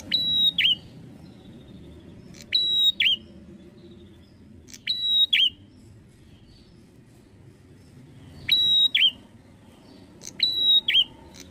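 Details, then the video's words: Prenjak atas, the bar-winged prinia, sings loud clear phrases: a sharp tick into a held high whistle, closed by a short dipping note. Five phrases, spaced unevenly, with faint hum behind. "KECIL ,UNIK ,GACOR MENARIK || PRENJAK ATAS"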